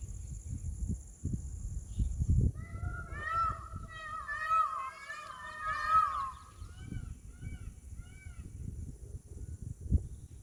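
A peacock gives three loud, nasal, wailing calls about a second apart, followed by softer notes, over a steady low rumble of wind.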